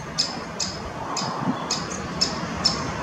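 Great spotted woodpecker young give short, sharp high notes about every half second while being fed. A low background rumble runs underneath.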